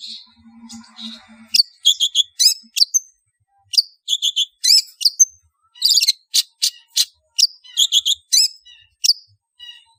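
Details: Calls of a long-tailed shrike used to lure and gather birds: repeated clusters of sharp chirps and clipped whistles, with a soft low murmuring rattle at the start.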